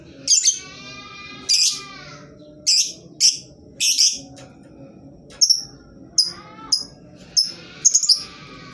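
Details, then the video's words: Lovebird, used as a lure so that lovebirds of any kind join in singing. Loud, shrill, scratchy screeches come in an irregular chattering series of roughly a dozen notes, some doubled, with brief whistled glides between, over a low room hum. "Lovebird jenis apapun dijamin pasti ikut bunyi, pancingan ampuh bagi burung yang malas bunyi"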